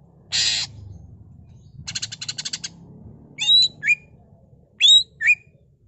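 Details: Greater green leafbird; song; used to stimulate other leafbirds into singing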